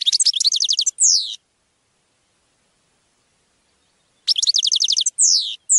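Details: Goldfinch song used to teach captive birds: a short rattling trill ending in a down-slurred buzzy note, repeated after about three seconds of silence.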